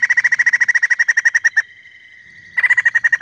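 White-crested laughingthrush giving a rapid, even run of loud chattering notes, about a dozen a second, which pauses for a second and then resumes.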